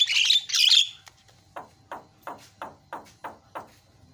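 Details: Javan myna lure song for mynas gone quiet: an opening loud harsh squawking burst, then a series of softer descending notes repeated a little more than twice per second.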